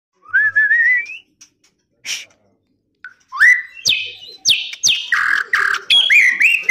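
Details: A captive-bred white-rumped shama at a breeding facility sings rich, fluty whistled phrases, rising slurs mixed with sharp chips and rapid ringing notes, growing busier and louder toward the end.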